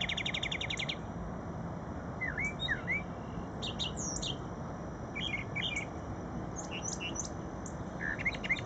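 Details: A brown thrasher at Shred-It Pond, Metro Center, sings a varied run of bright, rapid phrases: buzzy trills, slurred whistles and chirps, several given twice in quick succession, over a low steady rumble.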